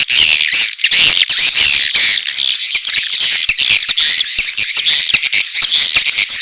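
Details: Edible-nest swiftlets giving mating calls mixed with chick calls, a swiftlet house sound: dense, continuous high buzzy twittering and rapid chirps with sharp clicks, filling the whole recording without pause.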